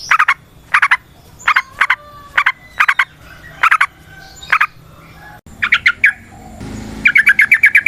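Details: Yellow-vented bulbul, native to Indonesia, used as a lure sound: short clusters of bright liquid notes repeated roughly every half second, ending in a faster rolling series of chirps.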